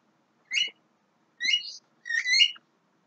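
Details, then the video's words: Young Javan myna singing three brief phrases of layered, whistled and slightly buzzy notes, the last phrase longest with a rising twist, set apart by short silences in a quiet setting. "JALAK KEBO MUDA"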